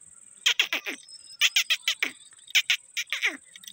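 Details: Pet Alexandrine parakeet calling: three bursts of harsh, downward-sweeping squawks, three or four notes per burst about a second apart, over a faint steady high electrical whine.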